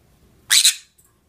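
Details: Monk parakeet from aviary colony breeding, one loud, harsh, two-part squawk lasting under half a second, then quiet.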